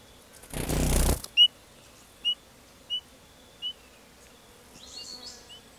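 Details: Spotted pardalote at its nest during summer breeding in the Capertee Valley: a loud rushing burst, like wingbeats or a gust, then four short, clear, high piping notes spaced about 0.7 seconds apart, ending with fainter chirps.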